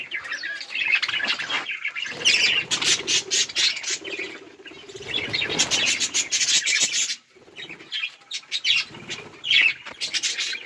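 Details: Budgerigars chirping while eating and playing: a busy, scratchy mix of squawky chatter and rapid high twitters, broken by short quiet gaps, with some wing flapping and rustling among the birds.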